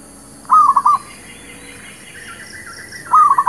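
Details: Zebra dove, known as merbuk kampung or perkutut lokal, singing a lure song for trapping: two brief phrases of soft rolling coos about two and a half seconds apart, with faint higher bird twitters between them.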